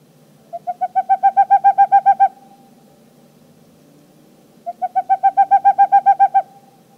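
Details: Boreal Owl (Aegolius funereus) of northern Europe gives its high-pitched trilling call: two quick bursts of about a dozen hollow hoots each, run together into a trill, with a short gap between bursts.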